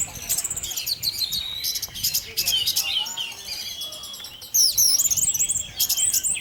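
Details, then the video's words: Orange-headed thrush singing in the 'tarantula' and 'teler' styles, used as a lure to provoke other thrushes into singing: a dense, high, rapid stream of varied chirps, slurred whistles and trills, growing louder and busier after four seconds. "Pancingan Burung Anis Merah Tarantula Anis Merah Teler untuk penggoda anis lain agar ikut teler"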